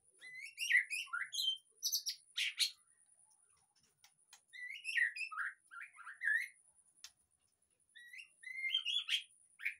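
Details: White-rumped shama song used as a lure to spur a caged bird that has gone quiet into full singing: varied whistled phrases and rapid chattering notes in bursts with short pauses, some sharp high clicks, a faint steady high tone throughout.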